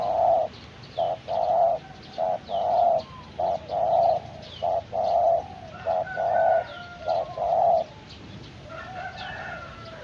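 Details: Young spotted dove being trained as a decoy, cooing repeatedly: a rhythmic series of short and drawn-out low coos about every second, with faint chirping of other birds and constant background noise.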